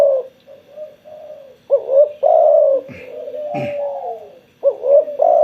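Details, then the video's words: After a spell of sunbathing, a spotted dove delivers hollow, low-pitched coo phrases: quiet murmuring notes, then two louder coo bursts and a sustained trailing tone, with a sharp click partway through. "burung tekukur gacor setelah penjemuran"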